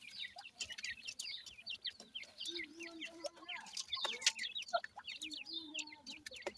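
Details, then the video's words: Feeding grey francolin chicks pour out rapid, high, overlapping peeps, roughly two per second, with a few lower drawn-out notes and light clicking beneath. "partridge tetar ,Teetar ki Bache,dakni Teetar Chicks Feeding"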